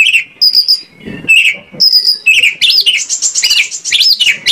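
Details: White-rumped shama lure song intended to get shamas singing: high thin whistles and lower buzzy notes, then a fast jumble of swooping, chattering phrases.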